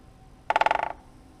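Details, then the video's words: A great spotted woodpecker drums on a tree in January in northeastern Italy, marking territory and luring females at the start of the mating season: a single fast roll of about nine resonant knocks in under half a second, fading at the end, quiet background. "The great spotted woodpecker is drumming."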